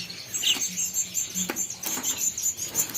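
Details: Albino red-eye cut-throat finches at an aviary give thin, high chirps in a quick, steady run, with one sharper chirp early on and soft clicks and rustling from other cage birds.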